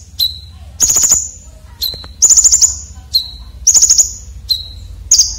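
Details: Coarse, sharp fill-in song of a red-breasted konin, used to tutor competition birds. Short, level whistles alternate with dense bursts of shrill, rattling high notes, about four cycles in five seconds.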